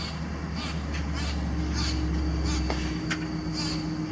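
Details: Crow-like singing of all-black birds one size below robins, Calgary, Alberta, Canada, July 22, 2025, amplified recording: a quick series of short scratchy high chips, roughly four per second, over a strong deep droning hum.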